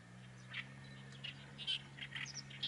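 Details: Oriental reed warbler singing at a distance: scattered harsh, grating notes in short bursts over a steady low mechanical hum.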